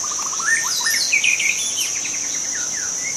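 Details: Wild forest white-rumped shama singing a rapid phrase: a run of quick repeated low notes climbing into fast, rising whistles and a dense trill, over steady insect noise.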